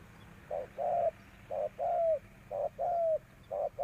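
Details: Decoy spotted dove cooing to call in wild doves: loud, mellow paired notes, the longer note of each pair gliding downward, repeated steadily roughly once a second.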